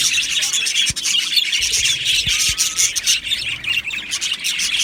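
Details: Australian budgerigar colony in an aviary, a constant high-pitched mix of chirps, squawks and warbled chatter from numerous birds, with a few low knocks beneath.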